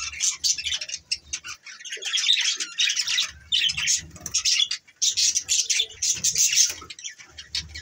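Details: Morning budgerigars keep up an almost unbroken stream of raspy, high warbling chirps and squawky notes, rising and falling in loudness.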